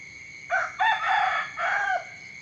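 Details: Rooster crow in the morning: a sharp opening syllable, then a long raspy held middle and a final drawn note falling away after about one and a half seconds. A thin steady whine sits behind it.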